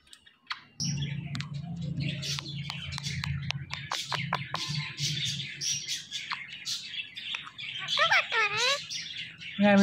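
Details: Talking green Indian ringneck parakeet: rapid dry clicks and high chirps, then wavering word-like harmonic squawks near the end, all over a constant low droning hum.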